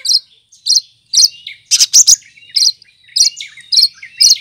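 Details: Cucak kinoy leafbird, a green bird kept as a tutor bird and able to mimic other birds, singing bright high chirps and buzzy notes in regular bursts about every half second, with a dense rattling flurry midway.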